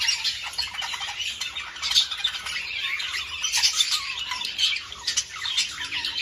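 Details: Budgerigars calling to stimulate breeding: a flock gives dense, nonstop warbling chatter of scratchy squawks and fast chirps with no pauses.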